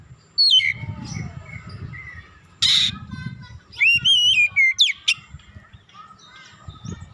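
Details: Warm-up song of an Oriental magpie-robin meant to raise the bird's aggression. Sharp descending whistles, then a harsh rasping burst, then rapid wavering whistled phrases over a steady low rumble in the background.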